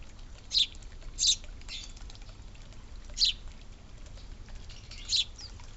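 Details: Suburban birds eating and drinking at a birdfeeder and water fountain: four sharp, high, clicking bursts spaced irregularly over a few seconds against a quiet background hiss.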